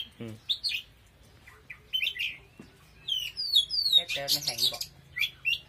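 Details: Oriental magpie-robin singing powerfully: rapid sequences of high whistled and slurred notes with descending sweeps, broken by short pauses, alongside a few low harsh sounds.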